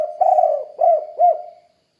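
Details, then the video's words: Single phrase from a spotted dove (tekukur): a long wavering coo followed by two short rounded coos, fading out at the end. "Suara Burung Tekukur Kuk 2 Gacor"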